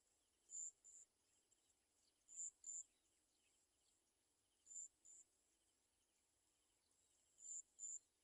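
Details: Olive-backed sunbird mother with small fallen baby birds that cannot eat; shrill high steady notes given in pairs about every two and a half seconds, separated by faint soft chirping.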